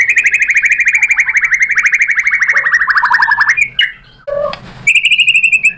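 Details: White-rumped shama, singing energetically, provoked into replying and showing off its mimicked song material: a long rapid series of buzzy notes near one pitch, slowly falling, then an abrupt break, a short low note and a bright high trill.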